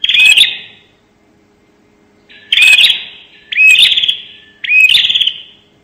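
Bar-winged prinia giving four loud, sharp bursts, each a snapped high note running into a buzzy trill, about a second apart.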